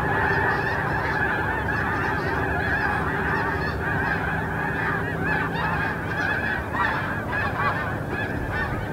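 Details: Snow geese massed on Terranova marsh in Richmond, BC, Canada, 14 March 2019, giving a constant clamour of many overlapping harsh, nasal honks, with no pause in the calling across the whole stretch.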